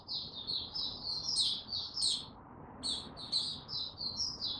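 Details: White-eye (mata puteh) male recorded 6 March 2022 as it steadily builds toward opening into full song; a fast, high twittering chatter of short chirped notes in linked phrases, dropping quieter midway before resuming.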